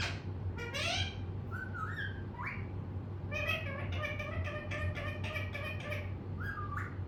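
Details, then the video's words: Indoor pet parrot vocalizing: scattered squeaky upward-sliding notes and short whistles early on, then a quick series of clicky, chattering syllables, ending with a rising whistled note over a low constant hum. "Mittu Ne Bol Bol kar Pkaa Diya"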